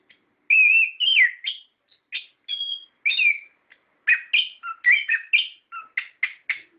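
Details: Lure song of an orange-headed thrush for caged birds: wavering pure whistles and a looping slur, then bursts of quick varied notes and squeaks in rapid succession.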